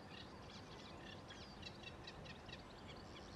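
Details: Eurasian reed warbler singing by Sculcoates Lane, Hull, in spring while the reeds are still short: a steady, chattering run of short scratchy notes, several a second, half-buried under a constant low rumble of background noise.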